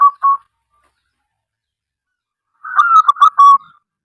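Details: Singing local perkutut, or zebra dove, in Indonesia, heard as a lure to make other doves sing. Two short clipped coos open the clip. After a pause comes one loud phrase of quick, bubbling, staccato coos that runs for about a second.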